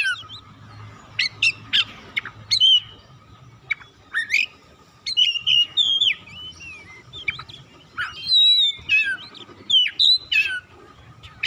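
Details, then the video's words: Oriental magpie-robin (kacer) song meant to stimulate a non-singing bird: irregular bursts of sharp chips and sweet whistled slurs, getting busier in the second half, over a faint steady hum. "KICAUAN MEMANGGIL DAN PERANGSANG BUNYI | Kacer macet bunyi langsung on gacor"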